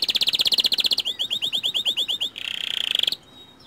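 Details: Lure song of a white canary meant to set other canaries singing: rapid loud pulsed notes, then a series of curved whistled syllables, a dense buzzing trill, and a faint fading tail.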